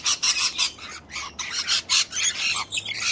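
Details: Corellas squabbling on a rainy day, a cranky bird kicking another, with loud, rasping screeches repeated about three times a second, coarse and noisy in tone.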